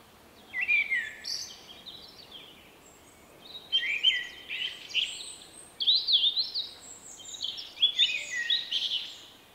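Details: Male common blackbird singing his unique 'vuippi vuippi vuuu' style song in March 2024; four short whistled-and-twittered phrases spaced about two seconds apart, with quiet gaps between.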